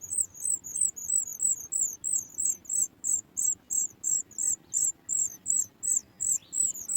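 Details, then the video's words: Sooty chat chick in the nest begging on hearing its mother bring food: high, thin chirps repeated steadily about three times a second, with a quiet background. "Sooty chat trying, the baby bird also soars high when it hears its mother bringing food."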